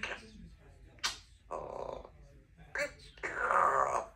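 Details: Pet two-year-old female Congo African grey parrot talking at home indoors: short speech-like bursts, a sharp high squeak, then a harsher drawn-out phrase with a tonal whistle inside it.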